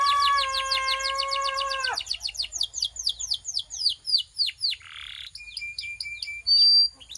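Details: Belgian canary warming up, opening with a rich harmonic whistled tone under quick trills, then a series of clear down-slurred notes, a brief rough burst, and short repeated piping phrases.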